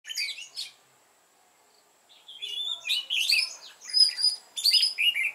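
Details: Red-whiskered bulbul lure bird in a wild mountain-forest voice style, singing to provoke rivals into fighting song: a short burst of bright chirps, a second-long pause, then dense, jumbled whistled phrases with sharp rising and falling notes.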